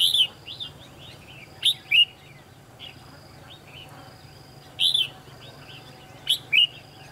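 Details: Decoy red-whiskered bulbul singing at a trapping site: clear, slurred whistled notes in paired bursts, repeated several times, with quieter chirps in between and a faint steady tone in the background.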